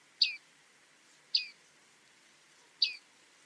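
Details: Bearded tit, the reed-bed bearded reedling, giving three bright descending 'ping' calls at roughly one-second intervals over soft background hiss.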